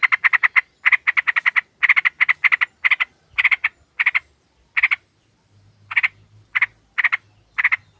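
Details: A flock of sooty-headed bulbuls played as a lure, with a female calling males: fast runs of harsh, buzzy chattering notes that slow to single spaced bursts, with a faint low hum in the background.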